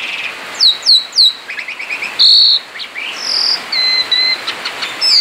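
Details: Outside its cage, a male Asian pied starling sings ngerol: three looping whistled notes, then soft buzzy chatter, a loud harsh burst and long flat sustained whistles.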